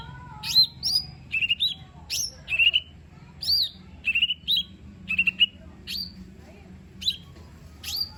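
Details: Lesser green leafbird singing as a lure for a quiet bird, with bright down-slurred whistles, paired slurred notes and sharp upsweeps in quick succession over a low background hum.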